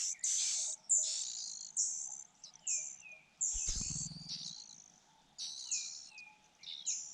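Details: Nestling Fujian niltavas beg while the mother brings food, a dense run of shrill, high chirps, some trailing into lower falling notes, with one brief low thud partway through.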